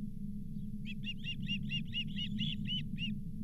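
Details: An osprey at the Charlo nest, 31 July 2023, calls around the arrival of a lake whitefish, the fifth fish of the day. A fast, steady string of about eleven shrill whistled chirps over a low hum.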